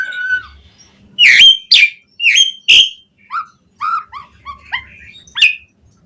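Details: Asian pied starling singing, played to make other starlings sing: a low whistle, then four loud squeaky notes, then softer, lower fluty notes repeated at an uneven pace, ending with a sharp rising call.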